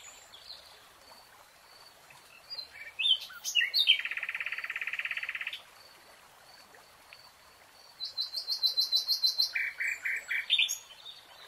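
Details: Nightingale singing in a lush green forest: scattered sharp chirps, then a rapid buzzy rattling trill held about two seconds, a pause, then bursts of fast repeated high pulsed notes dropping to lower repeated notes, over a faint steady high whine.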